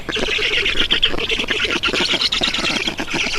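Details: Estonian black storks at their nest, 7 June 2019, as water is delivered: dense, raspy squawks with a quick throbbing rhythm, sustained without a break.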